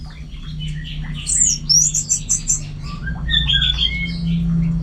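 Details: Orange-headed thrush delivering a busy song of quick high chirps and short whistles in clustered bursts, with a continuous low droning hum beneath.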